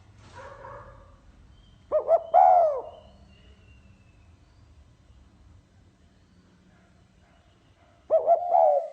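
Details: Spotted dove singing in the 'giọng pha kim' (mixed metallic voice) style: two brief bursts of low cooing, a stuttered double note sliding into a drawn-out falling coo, separated by six seconds of near silence with a faint low rumble.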